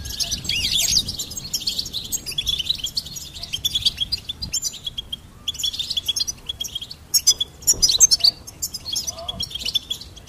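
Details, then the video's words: Goldfinch song in lively bursts of high, tinkling twitters and rapid trills, separated by brief pauses, over a faint low rumble. "Goldfinch Singing and Song Compilation"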